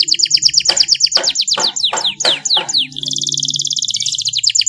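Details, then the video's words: Canary song for training young birds, with ornate long phrases: fast high notes and harsh rasping sweeps give way to a rapid, even high trill. "MASTERAN KENARI FULL TEMBAKAN PEDES CENGKOK MEWAH DURASI PANJANG"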